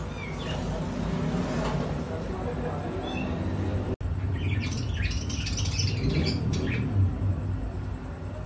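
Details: Young pair of pet African grey parrots, harsh squawking bursts clustered over a couple of seconds in the middle, above a steady low rumble of room noise.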